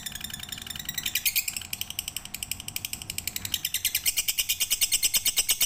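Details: Lovebird song in full pigter style for bird training: high, twittering chatter that speeds into a steady pulsed trill, with a faint constant background hum.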